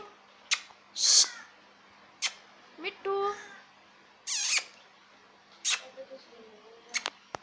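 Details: Talking parrot indoors producing short separate utterances: high squeaky whistles and harsh bursts, some speech-like syllables with layered tones, spaced one to two seconds apart, with faint background hum.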